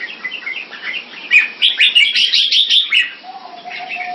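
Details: Red-whiskered bulbul kept in Singapore for competition, displaying with rising bursts of rapid, loud, bright chirps, followed by a steady drawn-out whistle tone at the end.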